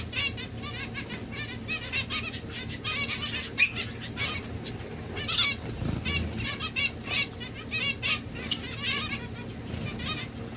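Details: Society finch, domestic form, keeping up a quieter stream of buzzy, harmonic chirps with one sharp loud click; steady low hum throughout.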